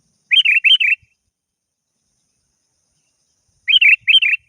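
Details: Lure call of a lively sooty-headed bulbul calling a rival. Two phrases of liquid, bubbly chirps, each made of two or three pairs of notes, are separated by a long silence.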